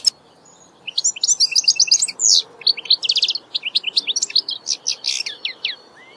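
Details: European goldfinch singing in nature: a rapid, tinkling twitter of high, sharp notes and short trills, running almost continuously for five seconds after a quiet start, with a few buzzy elements mixed in.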